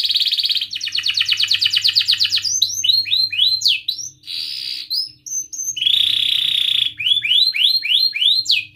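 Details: Long canary song meant to encourage young canaries learning to sing and stalled birds: a steady high tone, a fast pulsing trill, runs of sharp sweeping chirps, another held buzzy tone, then more rapid chirps.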